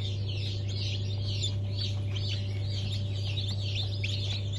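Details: Sultan, Türken, Australorp and Sussex chicks just hatched, 23 March 2024. High chirping peeps repeat in an irregular overlapping flow from a group of chicks, accompanied by a strong steady low hum.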